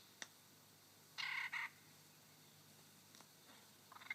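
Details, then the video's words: Male superb lyrebird singing on his dancing mound in Sherbrooke Forest Park, Victoria, mimicking a pilot bird: two quick, loud, buzzy-edged whistled notes close together, with a few faint clicks and soft notes before and after. "Now here's the lyrebird with its imitation of the pilot bird."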